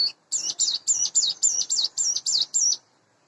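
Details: In the morning a hand-reared, roughly eight-month-old caged Sunda bush warbler in breeding condition gives a brisk burst of about nine high, twisting chirps, evenly spaced, lasting under three seconds before silence.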